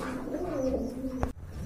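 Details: Pigeons of various kinds kept indoors for sale; a low, steady droning coo runs through the clip with a faint rising overtone, ending with a sharp knock.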